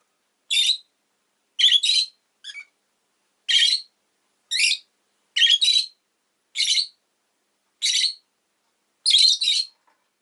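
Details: Rosy-faced lovebird giving a steady series of sharp, high, shrill chirps, some doubled, spaced about one second apart across ten seconds, with no other sounds.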